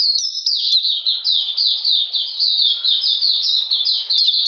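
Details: Oriental magpie-robin, a caged bird, during cold rainy weather on 13 June 2020: dense, high-pitched song of quick descending slurs in steady succession, with no pause and no other sounds.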